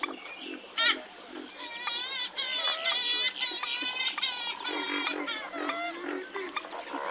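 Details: Western swamphen giving harsh, nasal calls rich in overtones. The calls come in a run of stacked, wavering notes, with several birds seeming to overlap in a busy chorus.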